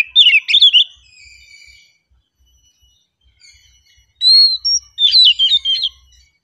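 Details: Calm song from an oriental magpie-robin: a rapid burst of warbled whistles, a quiet pause with thin drawn-out tones, then a clear rising note followed by another lively run of varied whistled phrases.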